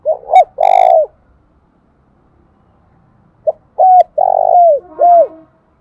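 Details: Morning song of a Spotted dove used as a decoy to lure wild doves: two cooing phrases about three seconds apart, each a short note followed by flat, rolling and downslurred coos, with silence between them.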